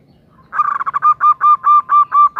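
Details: A female zebra dove calling to draw the male into song: a dense stuttering burst of quick notes opens into a measured series of longer, flat, ringing notes spaced evenly apart.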